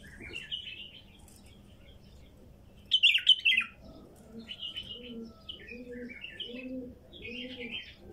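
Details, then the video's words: A wild female bulbul gives short warbled phrases and a loud burst of rich whistles; in the second half a dove starts low, evenly spaced cooing beneath further bulbul phrases. "تغريد بلبل نثيه وحشي"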